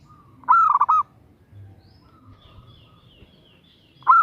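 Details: Female zebra dove calling for a male: one clear, trilling coo phrase of rapid rounded notes, then a quiet pause with soft background hum before the next phrase begins at the end.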